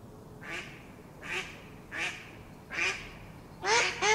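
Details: Single Mallard quacks, hoarse and nasal, spaced nearly a second apart, ending with two louder, closer calls in quick succession.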